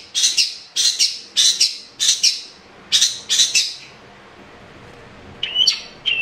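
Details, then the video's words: Long-tailed shrike (cendet) 'gacor' singing, a lure for a caged bird that sings little. Harsh, broadband doubled chatters repeat about every half second, then a pause, then a few whistled notes. "Pancingan cendet malas bunyi💥Cendet gacor"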